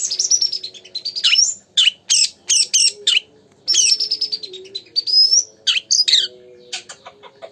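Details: Vigorous oriental magpie-robin (kacer) song, played as a lure to stir another magpie-robin into singing. Long, clear descending whistles alternate with bursts of harsh, scratchy notes. A low steady hum runs underneath.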